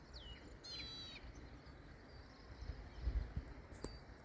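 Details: White-bellied sunbird looking for food in a sorghum field: a high thin note sweeping downward, then a short buzzy, harmonic-rich trill lasting about half a second, over a steady low rumble with a few soft knocks and a click.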